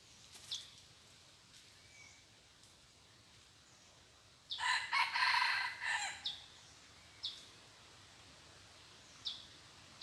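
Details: Red junglefowl kept as a decoy, said to crow only twice, giving one harsh multi-part crow lasting about a second and a half, amid sparse short high chirps from other birds and faint outdoor noise.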